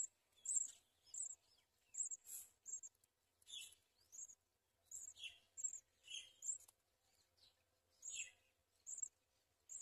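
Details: At a house sparrow feeding its babies caterpillars, thin, high notes repeat about every half second, interleaved with lower, rasping chirps.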